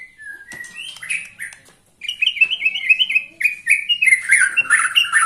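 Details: White-rumped shama, 21 years old, singing persistently: a few descending whistles and ticks, a brief silence, then a loud quick stream of warbled, chattering whistled notes mixed with high metallic ticks.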